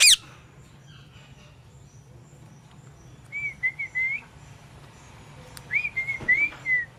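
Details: Parrot producing a brief loud squawk, then two bouts of wavering whistled notes that rise and dip in pitch, a few seconds apart, with a faint background hum.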